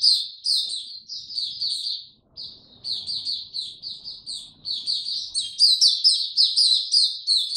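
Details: Caged white-eye singing in warm, very humid weather on 26 March 2022: long run of high, rapid twittering phrases of slurred, downward-sweeping notes, briefly pausing near the middle before resuming louder and denser.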